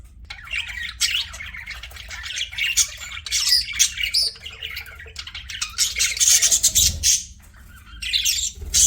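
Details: Pet budgies in sustained loud chatter, a dense stream of buzzy warbles, squeaky chirps and harsh squawks, briefly dropping away before resuming.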